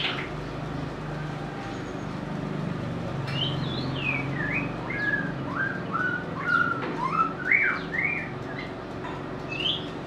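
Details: White-rumped shama, a favourite of bird keepers, delivering a sweet varied song of short whistled slurs and rising and falling notes in quick succession, with a constant low droning hum behind.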